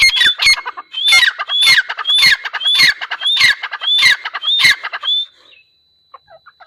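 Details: Grey francolin, called teetar, uttering loud, harsh, regularly spaced phrases, each beginning with an upslurred whistle. The run lasts about five seconds, then gives way to a few faint soft notes.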